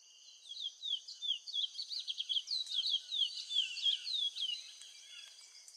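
A chestnut-bellied seed finch sings a fast, sweet run of whistled, slurred notes, about three a second, over a steady high background hiss.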